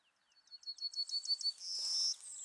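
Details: Yellowhammer song: a rapid series of thin, high repeated notes that build in loudness over about a second and a half, ending in a sustained higher buzzy note.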